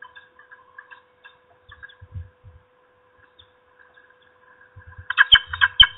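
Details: Female peregrine falcon at her nest, shouting at an intruder before flying off to chase it. Mostly quiet with faint scattered notes, then a loud burst of harsh, rapidly repeated kak notes near the end.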